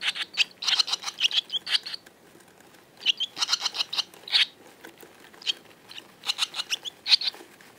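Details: A group of barn swallows giving short, sharp chirps in quick clusters, with bursts of several notes separated by brief pauses and a quiet gap near the middle.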